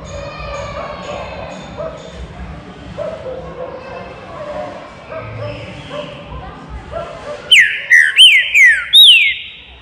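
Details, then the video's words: Green-winged saltator in an aviary. Several seconds of soft background chatter, then a closing run of five ringing whistles, each bending down in pitch, given rapidly one after another. "TRINCA FERRO BARUC NO VOADOR"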